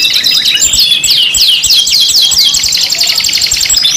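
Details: Canary song for luring, five birds blended: a quick series of sharp downward-sweeping chirps, roughly three or four per second, over continuous twittering.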